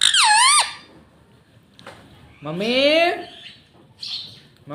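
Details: Pet rose-ringed parakeet kept indoors, taught to say "mummy papa": a loud wavering squawk-like syllable, a pause, then a longer rising voiced phrase resembling speech, followed by a short higher squeak.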